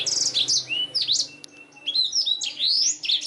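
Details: Black-throated canary song meant for schooling canaries: a fast high trill, then bright upslurred and downslurred whistles with a brief quieter gap in the middle.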